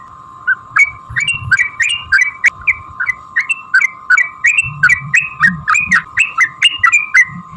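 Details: Long 'ropel' fighting song of a yellow-vented bulbul, played to stir other bulbuls to sing; after a soft opening note, a bright run of gurgling whistled slurs follows in rapid, regular succession.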